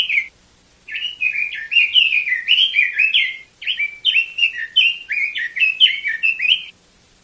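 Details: Chinese hwamei in full song, a continuous stream of rich, loud whistled phrases with rising and falling slurs, delivered quickly for about six seconds with one short pause midway and no other sounds.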